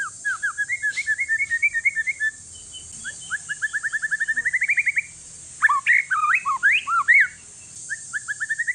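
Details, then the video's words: Singing one-year-old white-rumped shama of Aceh forest descent, meant to stir quiet shamas: repeated rapid note runs that rise gradually, followed by a burst of loud varied whistled slurs and chirps, then another run. "Si paling ribut murai trah hutan aceh COCOK UNTUK PANCINGAN"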